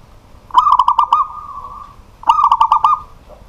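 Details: Caged local zebra dove singing at night: two fast runs of clipped, stuttering coo notes, the first trailing into a long, even hum.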